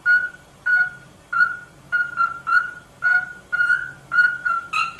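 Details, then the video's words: Rosella song: clear whistled notes on a steady mid pitch, each held briefly and repeated about every half second to second, some slightly rising or falling, with a low hum in the background. "SONG ROSELLA تغريد طائر الروزيلا الجميل"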